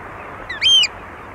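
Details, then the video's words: Eurasian oystercatcher at Walney, close up, giving a single loud, shrill piping note that rises then falls over about a third of a second, over a soft steady hiss, with distant gulls and lapping water. "Oystercatcher. Various Calls"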